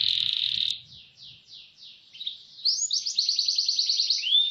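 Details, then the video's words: Canary roll song for training: a loud buzzy tone, then softer spaced falling notes, building into a bright, rapid trill and a final rising slur. "Masteran KENARI GACOR Roll SPEED"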